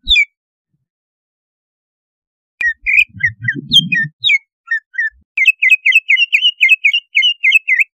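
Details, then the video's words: Greater green leafbird lure song meant to stir breeding drive and aggressiveness; after a pause, scattered sharp whistled notes over a low rumbling noise, then a fast run of evenly spaced, bright chirping whistles. "Suara pancingan untuk menaikan BIRAHI CUCAK IJO"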